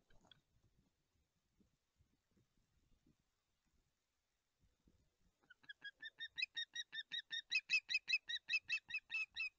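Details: Osprey chicks at a Jedwabno nest on 21 August 2023, calling while waiting for the parent to arrive with fish. After about five quiet seconds with faint knocks, they give a rapid, loud series of harmonic whistled chirps, two to three per second.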